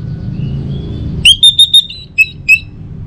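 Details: Orange-headed thrush song played in the morning to set other birds singing. A faint thin whistle leads into a quick string of clear level whistles and two short rising notes.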